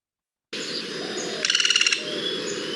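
A common flameback gives a very fast, almost mechanical rattle of about ten sharp notes in half a second, over a steady background hiss.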